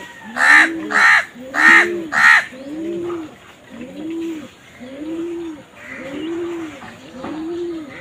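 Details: Crows in a compilation showing them fighting over food: four loud, harsh, rasping caws in quick succession during the first half. A pigeon follows with a steady series of soft, low, rounded coos repeated about every second.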